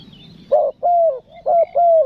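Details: Spotted dove in nekan nguku style, a clear coo used as a trapping lure. It gives two pairs of deep, smooth, even coos, each pair a short note followed by a longer one, over a quiet background.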